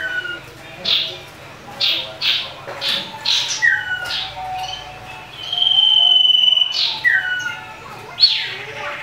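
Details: Common iora in a fighting mood, used to provoke other birds: short buzzy bursts and falling whistles, then a long steady high whistle near six seconds, with a rapid harsh flourish at the end.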